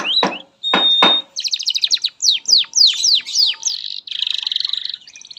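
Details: Canary song meant as a training master for young canaries, opening with harsh broadband notes and a pure whistle, then falling slurred whistles and a rapid buzzy rattle that fades.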